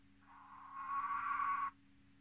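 A button quail gives one drawn-out, mid-pitched whistled note lasting about a second and a half, over a steady low electrical hum.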